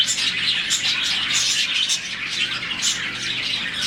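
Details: Colony of around 40 budgerigars at morning: a dense, continuous chorus of high, overlapping chirps and short squawks with no pauses. The birds chirp this way when happy.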